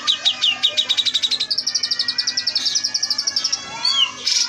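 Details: Oriental magpie-robin fill-in song for caged bird training: steady fast series of pulsed notes, first paired lower and higher, then a high even run of about eight per second, ending in slurred whistles.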